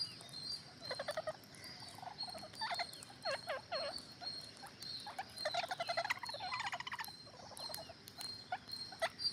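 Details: A crowd of green parrots chattering: bursts of grating, rapidly pulsed squawks overlapping from several birds, with brief pauses between bursts and a continuous high whine underneath.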